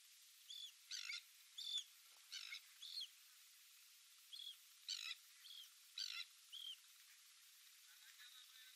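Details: A Eurasian kestrel at Kalochori on 7 August 2024 gives a loose series of sharp, high, slightly harsh 'kee' notes, about one a second, against a faint hiss.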